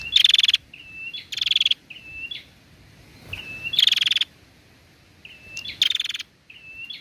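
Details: A female Bar-winged prinia gives calls meant to stimulate males into song: clipped whistles paired with grating, fast-pulsed buzzes, several cycles with a short quiet gap in the middle.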